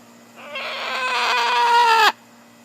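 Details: Blue-and-gold macaw, a female kept as a pet, perched on a person's shoulder while jabbering; one drawn-out, harsh, nasal squawk that holds steady and then drops sharply at the end.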